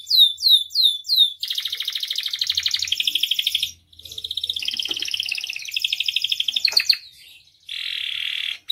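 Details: Canary singing as a lure and master to prompt other canaries: opens with repeated falling whistled notes, then long rapid pulsing trills and rolls, a sharp rising sweep and a final steady buzzy trill.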